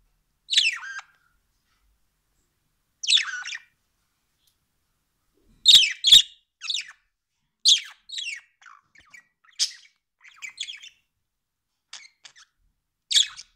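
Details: Pet budgerigar giving bright, scratchy chirps and warbled squeaks in short bursts with uneven pauses, several quick double notes and a couple of sharp clicks midway, otherwise quiet indoors.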